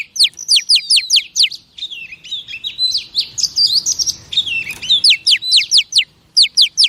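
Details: Female oriental magpie-robin voice used to excite male birds: rapid high downslurred notes run into a dense, twittering warble of varied whistles, then return to quick sweeping strokes at the end.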